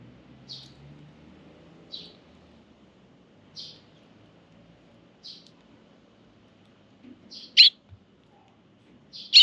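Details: Sparrow chicks in a park, begging from and spoiled by their parent birds, 24 June 2023: brief high chirps repeated about every one and a half seconds, growing louder near the end, over faint low background hum.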